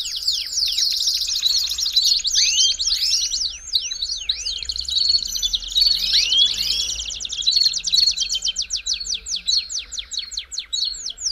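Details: Belgian canary song used to warm up other canaries: dense, fast high trills and repeated downward-sweeping notes, several phrases overlapping continuously, with a faint low hum beneath.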